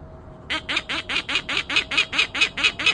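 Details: Alarm calling by a bird: loud harsh grating notes repeated evenly about four times a second after a brief quiet start, with a faint steady tone underneath.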